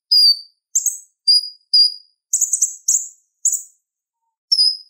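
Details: Purple-throated sunbird heard as a master for training kolibri ninja: clear piercing single notes alternate with short buzzy, rasping chirps at irregular intervals, then a pause and one more sharp note.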